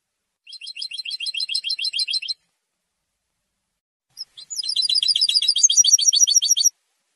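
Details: European goldfinch singing to defend its territory and attract females: two bursts of rapid, high twittering trills, a short one then a longer, louder run after a pause of about two seconds, with no other sounds.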